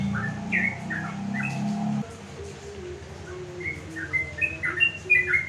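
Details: Sooty-headed bulbul placed on a house terrace, singing in the afternoon to call rivals; scattered short whistled notes, louder bubbly phrases toward the end, with a low droning hum during the first two seconds.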